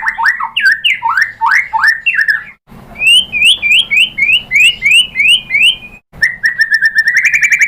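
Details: Lure recording of a white-rumped shama, reportedly a female calling a male: quick zigzagging whistled phrases, then a run of rising slurred notes about three per second, ending in a fast steady trill.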